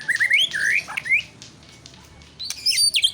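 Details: White-rumped shama giving a short burst of bright rising whistles, a pause, then high thin squeaky notes.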